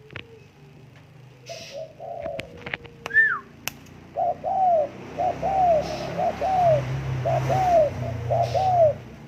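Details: Cooing from a tame spotted dove: a run of short, low, arching notes repeated about once a second after an opening high descending whistle and a few clicks.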